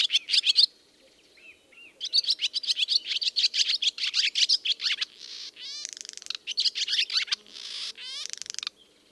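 A swallow's lively twittering song, fast chattering bursts and buzzy trills high in pitch, with rising rasping notes near the end; faint background hum.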